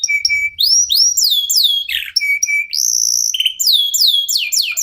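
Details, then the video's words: Local canary (kenari lokal) singing as a lure for other songbirds: steady level whistles mixed with looping, rising and falling chirps and sweeping whistled notes in rapid bursts. "KENARI LOKAL GACOR TOTAL, SEMUA IKUTAN BUNYI..PANCINGAN AMPUH BIKIN CEPAT GACOR"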